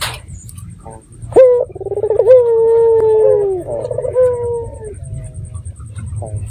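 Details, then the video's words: Red-eyed dove call used as a lure so that other doves answer; a brief sharp note, a trembling purr, then a long steady coo that droops at the end, followed by a shorter falling coo, over a faint low hum. "Pancingan Burung Puter Mata Merah Gacor"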